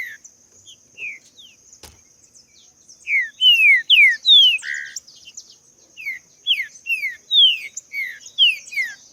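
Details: Free-living green-winged saltator delivering rapid descending whistles, quiet at first then a loud sequence of slurred notes about three per second, accompanied by faint high chirps, one sharp click and a continuous high hum.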